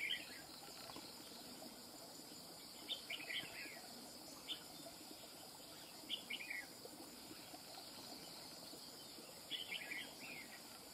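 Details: Wild-caught red-whiskered bulbul singing song phrases in the style locally called cầu cánh mỏ. Short warbled, bubbling phrases come at irregular intervals of a few seconds. Steady cricket and insect hiss fills the background.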